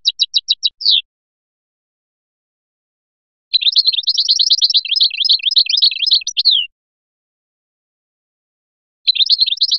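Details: Biskra goldfinch, Feliachi song: a quick run of evenly spaced sharp ticks, then a three-second stream of fast jangling twitters ending in a down-slurred note, and another twittering burst at the end.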